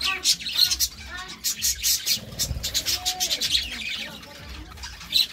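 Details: Pair of budgerigars giving busy high-pitched twittering and clicking chirps, with a brief low rumble near the middle.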